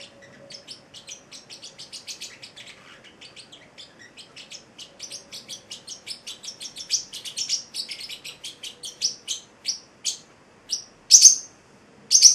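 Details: Celestial parrotlet, an eight-week-old male pet, giving a long series of soft high chirps that grow steadily louder, ending with a few sharp, emphatic squeaks; a faint low hum underneath.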